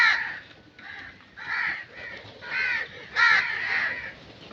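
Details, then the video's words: Crows calling in nature: harsh, hoarse caws given in four separate bursts, each about half a second long with short pauses between, the last one loudest, over a quiet background. "Crow Sound Effects"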